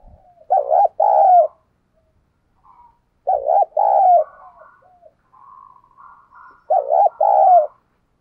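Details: Spotted dove kept as a lure bird, cooing to attract wild doves: three loud, hollow two-part coo phrases, evenly spaced about three seconds apart, with faint softer notes between them.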